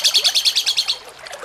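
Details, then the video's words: Cucak cungkok, jengking munting style, in a training recording for songbird contests: a fast train of about ten bright, buzzy pulses in under a second, then fading into softer scattered notes. "MASTERAN CUCAK CUNGKOK JENGKING MUNTING"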